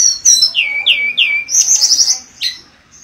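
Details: Mangrove blue flycatcher repeating descending whistled slurs, followed by a high warbling trill and one final downward sweep.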